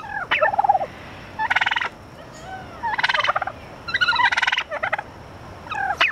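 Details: Captive turkeys at the San Francisco Zoo give repeated gobbles, fast pulsed rattling bursts about once a second, mixed with shorter falling yelps, over a faint steady background hum.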